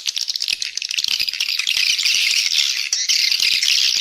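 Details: Swiftlets in a lure call recording meant to attract swiftlets and increase the population: a dense, unbroken chorus of high, rapid chittering and buzzy twitters from many birds, with brief dips in loudness.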